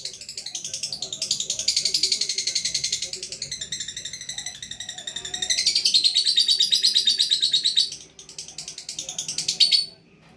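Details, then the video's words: Lovebird singing a long gacor song of rapid, rasping chatter, dense and high-pitched, pulsing quickly and steadily for about eight seconds, briefly dipping, then resuming with sharper notes. "Love Bird Gacor"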